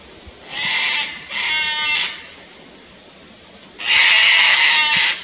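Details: A pair of Sulphur-crested cockatoos on the Fraser Coast, Queensland, Australia, upset at a lace monitor in a tree near their nest tree. Harsh, raspy, broadband screeches in four long bursts, two early, then a louder double screech after a pause.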